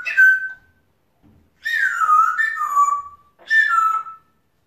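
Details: Pet male African grey parrot chattering to himself indoors; three clear whistled phrases, each sliding downward and separated by short pauses, with a faint soft click between the first two.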